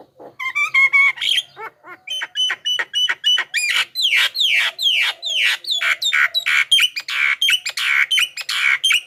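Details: Javan myna lure song meant to attract wild birds and prompt caged ones to answer: a long run of loud, buzzy, downward-sweeping notes repeated rapidly and evenly, opening with a few thinner whistled phrases.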